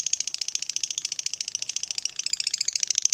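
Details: Long 'ngekek panjang' chatter from a fighter lovebird, played to provoke a lazy lovebird into song: a continuous rapid rattling trill of sharp high pulses that roughens near the end, over a faint hiss.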